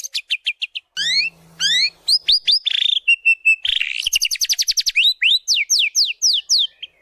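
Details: Prolific white-rumped shama lure song for training birds: quick chirp series, upslurred whistles, a flat buzzy note, then long runs of rapid rising sweeps, each phrase type switching abruptly.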